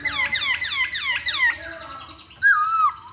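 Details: Chinese hwamei lure song: rapid series of loud, repeated down-slurred whistled notes, then a brief pause and a sustained, wavering whistle at the end.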